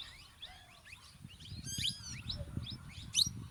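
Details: Male and female plum-headed parakeets call with quick high squeaky chirps and a bright rasping burst, then a shrill squeal near the end, over a steady low background rumble.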